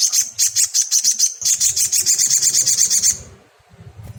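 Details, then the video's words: Crimson sunbird used to stir untrained caged birds to sing, giving a fast, high-pitched trill of evenly pulsed notes for about three seconds before it stops abruptly, leaving a quiet low hum. "TERAPI SOGON BAHAN || Bikin sogon bahan cepat bunyi buka paruh !!!"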